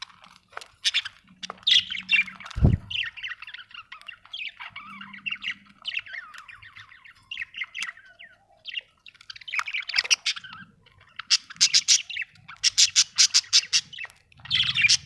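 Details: Budgerigar chirping, an Australian bird: a long run of busy warbled chatter and scratchy notes, a sharp thump early on, and rapid rattling chirp bursts near the end.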